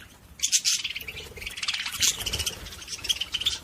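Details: Budgerigars chattering to stimulate other budgies, a short burst of high tinny warbles and squeaky chirps running almost without pause, with a few brighter sharp peeps standing out.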